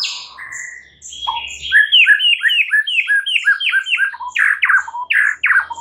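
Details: Morning singing of a white-rumped shama: loud, slurred notes sweep downward and repeat rapidly in a rolling series after a few softer whistles.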